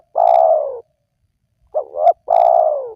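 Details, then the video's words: Spotted dove cooing, played to tempt wild doves to call: a long, level-then-falling coo, a short pause, then a quick two-note coo and another long falling coo, in clean silence. "Jitu 100% Pemancing Burung Tekukur Yang Malas Bunyi,Langsung Rajin Bunyi"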